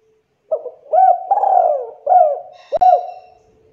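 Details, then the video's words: Spotted dove used as a lure, giving a lively cooing phrase: a short coo, then two-part rising-falling coos and a drawn-out middle note, with one sharp click near the end. "PANCINGAN BURUNG TEKUKUR GACOR"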